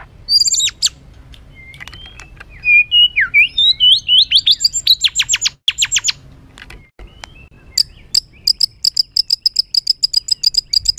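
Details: White-rumped shama in an agitated, rough song meant to provoke other birds: loud varied whistled notes sliding up and down, a burst of rapid downslurs, then fast sharp high chips repeated about four per second.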